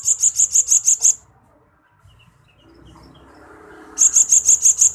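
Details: Blue-crowned hanging parrot training recording for pet birds, with rapid strings of very high, sharp chirps repeated about three per second, a quiet gap of faint rustling between the two bursts.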